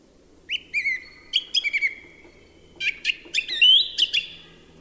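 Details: A song thrush sings a run of varied whistled notes in two quick groups, some sliding down and some sharp and clipped, bright and high against a quiet background.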